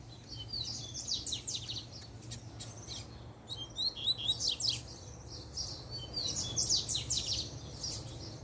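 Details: Double-collared seedeater (coleiro) of a managed breeding pair giving its puxada song once the female shows up: repeated bursts of high, fast, buzzy sweeping notes and clicks through the whole stretch, with faint low hum beneath.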